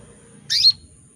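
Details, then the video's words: One call from a breeding female canary calling for males: a short, loud chirp with a harsh, wide opening and a sweet whistled finish, with soft low background noise around it. "PANCINGAN KENARI BETINA MEMANGGIL JANTAN"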